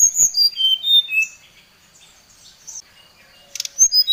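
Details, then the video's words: Brown-chested jungle flycatcher calling a rival: a quick run of ringing whistles falling in pitch, then a stretch of soft twittering, and high whistled notes again at the end after a clicking noise. "Suara Pancingan SRDC Gacor | srdc memanggil lawan | srdc gacor Emosi"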